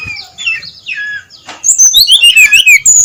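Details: Brown-chested jungle flycatcher singing at dawn in loud 'ngeplong' style: soft warbled slurs at first, then a rapid, ringing string of high whistled notes rising and falling.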